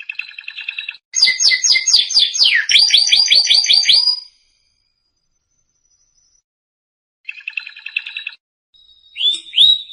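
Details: Training song of a canary: a buzzy trill, then a run of quick downward-sweeping whistled notes, a pause, another short trill and a final rising note.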